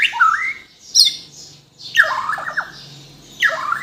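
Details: Bornean white-rumped shama from Kalimantan uttering loud squawking, rasping phrases as part of a full isian song, separated by short quiet gaps with faint background hum.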